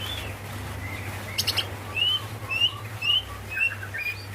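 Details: Female greater green leafbird calling the male: a series of short whistled notes, rising and falling, repeated about twice a second, with a brief burst of higher chirps and a steady low hum throughout.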